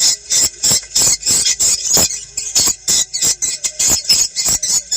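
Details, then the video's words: Lure recording of swiftlet calls for testing a nesting site, to be played through a phone or small speaker in the morning or evening. Harsh high twittering bursts repeat quickly and unevenly, roughly three per second. "Suara burung walet cek lokasi"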